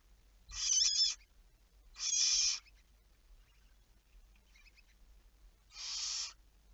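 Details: Night recording of a barn owl, 11 May 2019 at 23:34, with three loud, rough hissing screeches and a softer fainter one between them, irregularly spaced, in otherwise quiet surroundings.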